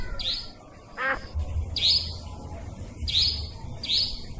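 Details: Nightjar used as a trapping lure: a series of high upswept buzzy notes, some doubled, with one lower descending call from another bird early on and a low hum throughout.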